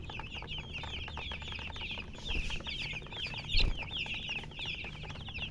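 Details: Baby chickens chirping: a dense, continuous chorus of many overlapping high, short downslurred peeps from several chicks, with a steady low rumble underneath and a brief louder thump near the middle.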